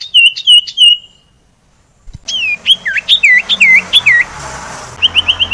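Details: Sirtu song to trigger singing in silent sirtu birds: a short series of even whistled notes, silence, then a louder run of swooping, falling whistles over background hiss, closing with a quick trill.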